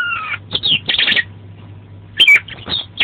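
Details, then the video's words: Oriental magpie-robin (kacer) singing in gacor style, full of isian fill-in phrases: two slurred whistled notes, then bursts of scratchy buzzy notes, a pause, and more sharp phrases, over a faint steady low hum. "Suara Burung Kacer Gacor Mantap Full Isian"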